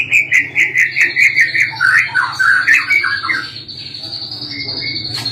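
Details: White-rumped shama, a caged songbird in a bird-singing context, delivering a fast run of varied warbled and chattering notes around the mid-high range, with a sustained high whistle-like tone running through the second half and low background hum.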